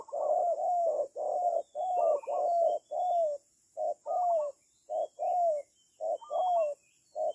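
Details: Spotted dove kept as a decoy for bird trapping, calling steadily in repeated pairs of a short coo and a longer drawn-out coo, about one pair per second, with faint high chirps of other birds behind.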